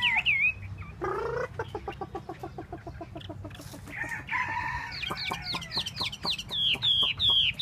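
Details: Chinese hwamei performing its tail dance, mixing a rapid ticking rattle with nasal, harsh bursts and, near the end, looping high whistles.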